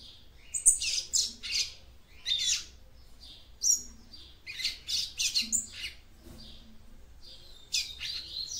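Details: Female papa-capim (capped seedeater) song for warming up a male, a busy sequence of loud high chirps and buzzy bursts with short pauses between phrases.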